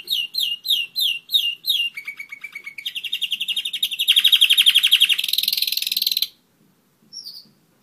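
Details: One-year-old German Roller-split canary: six slurred descending notes, a low trill, then a long buzzy roll that grows louder and higher before stopping abruptly, followed by one short final note.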